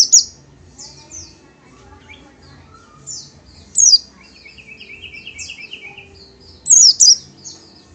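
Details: Oriental white-eye (Pleci, Kacamata), a small yellowish-green bird: scattered thin high notes broken by loud down-slurred bursts near four and seven seconds, with a lower, quick chattering trill in the middle. The background is quiet.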